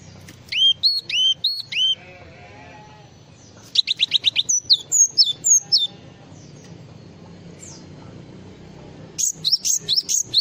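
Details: Java sparrow in full varied song: bursts of high, sharp, looping chirps in quick series of four to six notes, separated by quiet gaps, with faint low background rumble.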